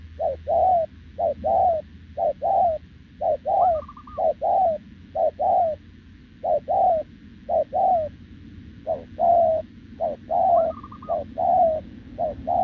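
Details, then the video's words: Wild-caught spotted dove with a short-legged build, cooing nonstop with a decoy bird; clear, mellow coos come in paired and tripled bursts roughly every second over 12 seconds, broken twice by a higher wavering trill, with quiet gaps between. "Bổi đồng chân lùn | Bo mình chắc đẹp | gù liền với mồi Đồng TT"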